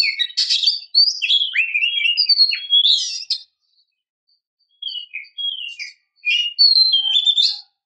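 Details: Female oriental magpie-robin luring a depressed male to reply with song, giving a tumbling string of varied whistles and harsh chirps, a pause, then scattered short sweet notes and a buzzy flourish.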